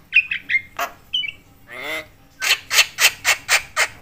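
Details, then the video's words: Noisy Javan myna (jalak kebo) calling to stir other mynas: short whistled chatter, a warbling croak, then a regular series of six loud harsh rasps. "jalak kebo gacor BAWEL sekali bunyi bikin semua jenis burung jalak emosi koar koar"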